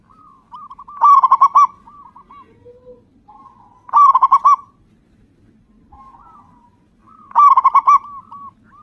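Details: Zebra dove of local stock, a loud, persistent singer, used as a lure to set other doves singing: three bubbling trilled coo phrases about three seconds apart, with softer distant cooing between them.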